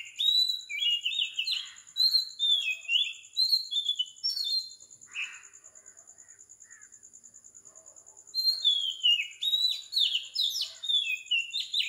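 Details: Oriental magpie-robin singing at 4 am in Sri Lanka, a rich run of varied whistled and slurred phrases with some sharp clicks, a pause of about three seconds filled by pulsing insects, then more song.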